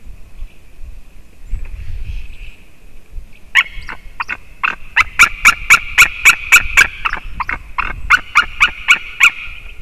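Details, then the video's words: White-tailed eagle calling on the morning of 9 October 2019 at 07:55. After a quiet start, a long run of loud, yelping, harsh notes, roughly four per second, with a brief break midway, over a steady faint hum. "Juras erglis Haliaeetus albicilla"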